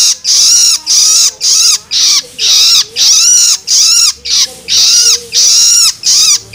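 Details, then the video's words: Begging calls of a young long-tailed shrike, used to rouse adult birds: a steady run of about thirteen grating, raspy squeals, each with a slight downward slur, delivered quickly and evenly. "Cara Jitu Untuk Merangsang Burung Cendet Dewasa Dengan Suara Loloan Anakan Cendet"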